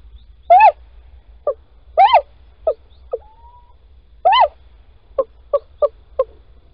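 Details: Male Little owl near Holten, 16 March 2020 at 10:25, calling while his mate digs a nest scrape. Three drawn-out arched mewing calls alternate with short sharp notes, plus one thin faint rising whistle.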